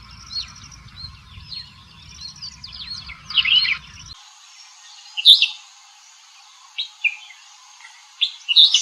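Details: Red-whiskered bulbul giving short, bright whistled chirps, with a couple of loud sharp notes standing out after a stretch of softer twittering; low rumble fades early on.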